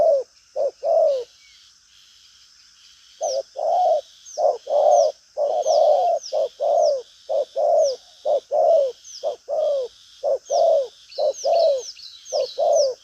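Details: Spotted dove, 'đồng pha chân cua' type, strong cooing with flourish endings in a lively style. Paired coos pause for two seconds, then run on steadily, while another bird's thin falling chirps sound repeatedly in the background.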